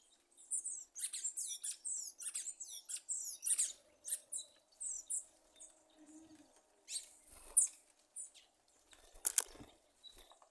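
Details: Sabiá thrush giving a popping call likened to popcorn bursting: a rapid run of short, high, sharp chirps and squeaks, then fewer louder scattered notes with pauses, over a quiet background.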